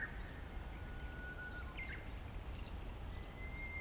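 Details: Close-range Japanese bush warbler song: a long, thin whistle is held steadily and ends in a brief, abrupt flourish. A second drawn-out whistle begins near the end, over faint outdoor hiss.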